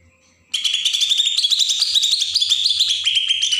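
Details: From Berau, Kalimantan, a Bornean green leafbird in besetan song meant to provoke untrained birds: one continuous three-second torrent of fast, scratchy, high chattering notes with slight rises and falls.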